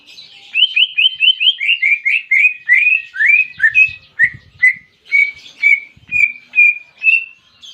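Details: Greater green leafbird song with canary imitation, a long run of rhythmic whistled slurred notes, quickening at first then slowing into evenly spaced clear whistles.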